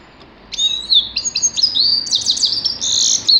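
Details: Grey-crowned goldfinch singing a lively run of high whistled slurs and twitters that builds into dense buzzy trills over about three seconds.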